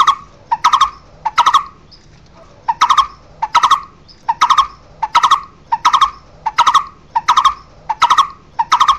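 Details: Barbet (cu rốc) calling to gather its flock, giving hollow, evenly pitched tuk notes in clipped pairs and threes, each cluster following the last after a short gap, steady throughout.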